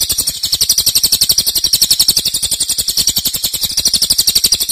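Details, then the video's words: Cililin's loud long song serving as a master recording for cage birds: rapid shrill pulses form a steady, high buzzing trill with slight swells in volume. "Cililin nembak keras dan Rafat durasi fanjang"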